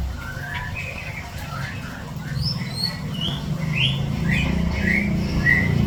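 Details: Javan bush lark in strong breeding condition gives a lively song of short chirps and rising whistled slurs, about three notes a second at varying pitches, over a steady low rumble of background noise.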